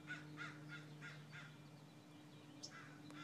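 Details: A crow gives a quick run of five harsh caws about a third of a second apart, pauses, then adds a couple more rough calls, with a steady low hum beneath.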